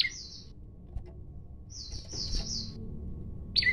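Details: Male olive-backed tailorbird singing with variations as a challenge to fight, recorded on a basic phone: long, level, high whistled notes strung together, then a sharp downslurred note at the end, with low rumbling background noise.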